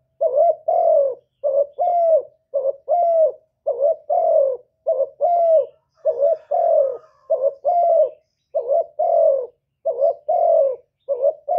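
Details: Decoy spotted dove cooing in a contest with a wild bird: low, mellow two-part coos with a hollow rising-falling note, delivered in rapid clustered phrases of about fifty per minute with short gaps, no other sounds.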